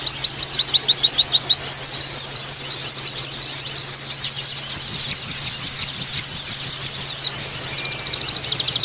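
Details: White-eye singing a 'tembakan' variation: rapid rising chirps, then thin whistles alternating between two pitches, a held high note, and a dense fast trill to finish, with a low hum in the background.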